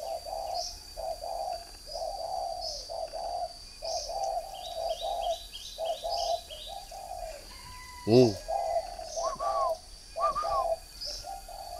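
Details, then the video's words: Three-year-old caged decoy spotted dove, northern Vietnam, cooing in repeated low, mellow phrases. A sharp knock or clatter comes near the end, then a couple of rising whistles. A thin, constant high whine persists throughout. "chim cu gáy hay miền bắc Mồi 3 năm"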